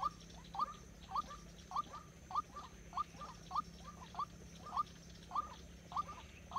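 A White-breasted waterhen gives short, hooked, rising notes about every half-second in a steady series, over a low mechanical hum.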